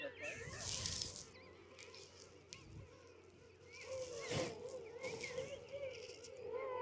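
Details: A dense chorus of king penguins at the huge Salisbury Plain colony on South Georgia, adults and brown-downed chicks, gives overlapping wavering, trumpeting calls, with a man talking and gusts of wind.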